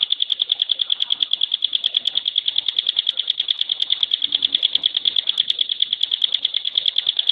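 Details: Bar-winged prinia (ciblek pinus or gunung), a contest bird, in its very dense rapid-fire "tembakan" song style: a steady high, sharp note repeated about three times a second for the whole stretch, with faint rustling beneath.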